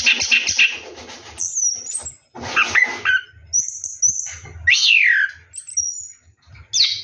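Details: Orange-headed thrush singing while bathing at night: bursts of scratchy chatter separated by short gaps, then clear high whistles and a loud downward-sweeping slurred note.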